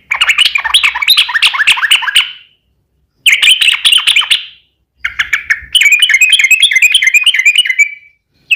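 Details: Rapid chattering song of a kept sooty-headed bulbul, played as a lure to make other bulbuls reply: three fast bursts of tumbling chirps, the last a long trilled run of bright repeated notes.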